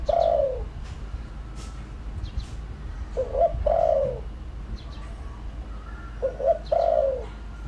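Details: Decoy spotted dove giving its lure call to provoke wild doves; low cooing phrases of two short notes then a longer, drawn-out falling coo, repeated about every three seconds over a faint background hum.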